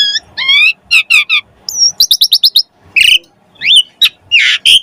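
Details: Asian pied starling's active, varied song used as a prompt for other starlings: chattering buzzy notes, a crisp run of rapid ticks, loud harsh bursts and a swooping whistle, with short pauses between phrases.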